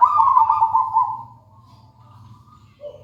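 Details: Local wild zebra dove (perkutut) singing: one loud purring, trilled coo that fades out after a second, then quiet with a faint higher note and a short low trill at the end; low background hum.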